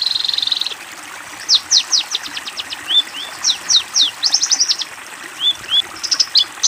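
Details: Long-tailed shrike master song for training young birds: it opens with a dense high buzzing trill, then a pause, then irregular bursts of sharp upswept chirps and short slurred whistles.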